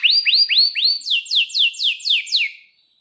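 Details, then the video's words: Clear canary song phrase: four rising whistled upslurs followed by six loud sweeping down-slurred notes at a steady pace of about three per second, fading away. "Kenari GACOR PANJANG INI Cocok untuk Masteran KENARI PAUD dan Kenari Macet BUNYI"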